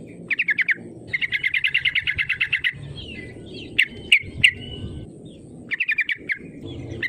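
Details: Yellow-vented bulbul in strong, active voice, used as a lure to provoke rival birds into calling back: fast, rhythmic chattering trills of rapid repeated notes, with a few sharp higher notes in the middle and faint low background rumble.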